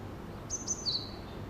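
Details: A single brief Japanese tit phrase at a nest box in early morning: two quick, very high notes falling to a short, lower whistled note, over faint low background noise.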